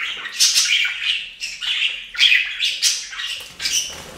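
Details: Budgies bathing in a fountain indoors chatter steadily, rapid rasping chirps and squawks rising and falling about three times a second.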